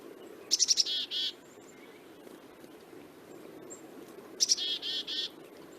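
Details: Black-capped Chickadee, a Midwest year-round winter feeder bird named for its call, giving two chick-a-dee calls, each a few quick high notes followed by three or four buzzy, hoarse 'dee' notes.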